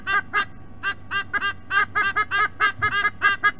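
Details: Adult White-bellied sea eagles calling at the nest, filmed by a nest camera at Sydney Olympic Park, Australia: a run of loud, honking, arched notes, about two per second, irregularly spaced, with a steady low hum beneath.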